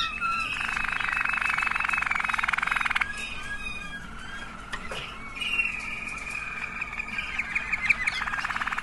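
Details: Waterslager canary song, one of several different birds: a long rapid rattling trill held for over two seconds, then softer warbled bubbling notes and a higher sustained trilled passage, with faint background hum.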